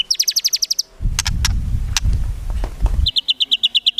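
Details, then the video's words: White-rumped shama singing rapid-fire phrases with no gurgling notes, a recording for training songbirds: a quick string of sharp high notes, then a burst of low rumbling noise with clicks, then another fast even trill. "MURAI BATU GACOR FULL ISIAN TEMBAKAN MEWAH GAK ADA NGUKLUK NYA"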